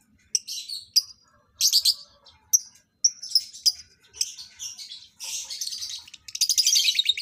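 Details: Lovebirds in a mating pairing produce harsh, high chirps in clustered bursts, ending in a sustained buzzy chatter.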